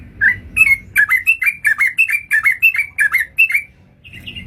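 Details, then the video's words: Sooty-headed bulbul call played as a trapping lure: regular string of short chirped notes, each dropping then levelling, about three per second, ending with a softer wavering note. "suara pancingan burung trucukan ampuh untuk pancingan dan pikat"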